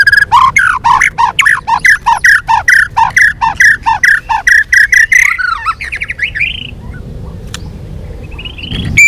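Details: Fighting song from a white-rumped shama, varied and intense with tail-flicking: a long, rapid string of loud, harsh, repeated notes at about two per second, ending in a bubbling trill and then quieter, scattered calls.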